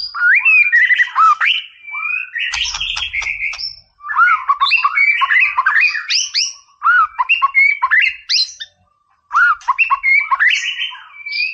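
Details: Loud, energetic white-rumped shama song for provoking a rival, delivered in bursts about two seconds long: dense mixes of whistles, harsh buzzy notes and clicks, separated by short pauses and one longer silence.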